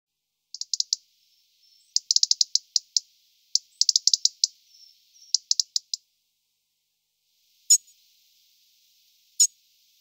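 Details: European robin giving clusters of rapid, very high ticking notes in short bursts, then two isolated sharp high notes near the end, against a silent background.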